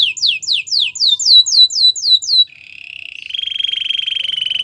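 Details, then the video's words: Belgian singing canary producing a row of looping, upward-hooked whistled notes at a steady pace, followed by a soft rising buzz that grows into a sustained rattling trill. "A special canary to seduce all the canaries - The belgian singing canary"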